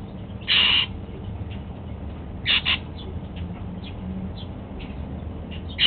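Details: Golden-fronted Leafbird, a pet, eating apple in the morning: a loud harsh call, a quick pair of shorter calls, faint chirps, and a final call starting at the end.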